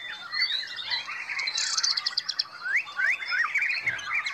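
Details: Black Devil black-tailed white-rumped shama performing at a contest, delivering a dense, varied song of rising whistled slurs, chattering bursts and quick trills with little pause.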